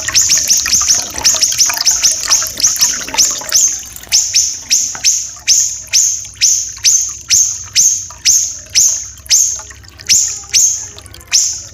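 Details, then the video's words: Small siri-siri, common iora, described as native to Sumatra and Kalimantan with a dense, long, rough voice, used to tutor captive magpie robins: rapid run of sharp upward-flicked notes, each ending in a high thin whistle, over two per second. "MASTERAN SIRI-SIRI KECIL"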